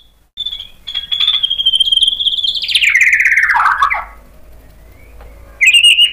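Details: White-rumped shama singing to provoke other shamas: a sustained high whistle that turns into a harsh, descending buzzy sweep, then a short silence and a sharp rising note.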